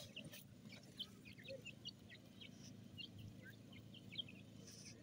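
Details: Several young grey francolin (desi teetar) chicks cheeping: quick, thin, high-pitched peeps repeated irregularly, some in short clusters, against a droning low background hum.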